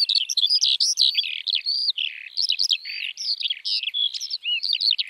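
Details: Dense, unbroken lark song: a busy, twittering warble of buzzy slurs and bright upward flicks, pouring on without pause across five seconds, high and clear against a silent background.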